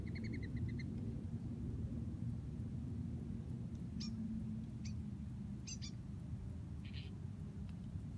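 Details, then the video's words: Birds calling from a tree on a college campus, heard while resting beneath it: a quick run of repeated short chirps at first, then scattered sharp single chirps, all over a steady low rumbling background noise. "Bird Sounds From A Tree"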